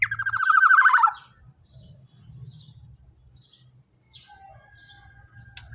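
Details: Loud, vigorous black-naped oriole: one strident, nasal, rapidly pulsed phrase of about a second drops steadily in pitch. Quieter background chirps and a low hum follow for the rest.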